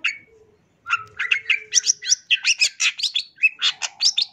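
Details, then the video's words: Long-tailed shrike in gacor full isian song, a varied phrase packed with imitations, opening with a thin whistle, then a quick string of chattering, scratchy high notes delivered almost twice per second with sliding whistles mixed in. "CENDET GACOR FULL ISIAN"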